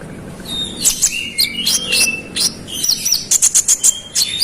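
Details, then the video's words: Konin singing hard to provoke rival birds: busy, rapid high twittering with thin whistled slurs and clipped chirps bursting in quick runs, some notes repeated in fast pulses near the end. "KONIN GACOR ROLL NEMBAK NGOTOT Buat konin lain emosi"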